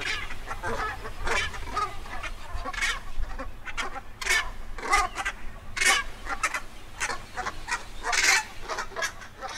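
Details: A flock of Brent geese at Stiffkey Saltmarshes, Norfolk, feeding on eel grass, keeps up a busy chorus of short, throaty, rolling calls, several overlapping every second, over a low wind rumble.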